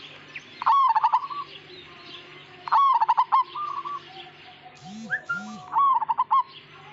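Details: Majapahit zebra dove singing rapid rolling coo bursts and softer trailing notes, with a couple of brief squeaky arched sounds midway and a low steady hum behind.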